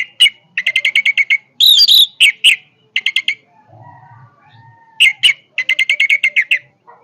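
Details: Orange-headed thrush singing powerfully with fast rattling series of repeated sharp notes, a harsh burst in the middle, a brief quiet gap, then the rapid repeated notes returning.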